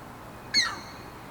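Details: Striated heron: one short, harsh, loud note that starts abruptly and slides downward, layered with strong overtones, over a quiet low rumble.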